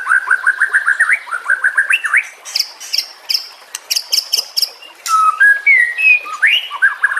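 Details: White-rumped shama song as a master recording for other songbirds: quick rising whistled notes repeated in runs, a stretch of sharp high clicks, then longer separate slurred whistles.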